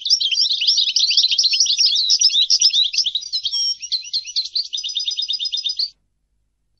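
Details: European goldfinch delivering a continuous six-second phrase of rapid tinkling twitters that shifts into evenly repeated buzzy trill notes near the end, then stops.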